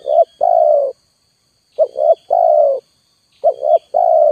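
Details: Clear, loud spotted dove coos used as a lure: three phrases, each two quick notes running into a long, even coo, with about a second of silence between them.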